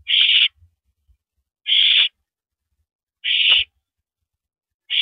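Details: Owl at the nest, April 9, 2012 at 9:14 PM, during a rabbit pass from male to mate; three and a half rasping, breathy screeches, evenly spaced about one and a half seconds apart.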